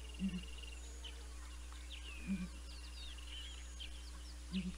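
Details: Two Southern Ground Hornbills at Naledi Cat-EYE, live cam footage from 19 December 2021. Low, resonant paired booms are heard three times, about two seconds apart, with a trilling small bird and scattered high chirps behind them.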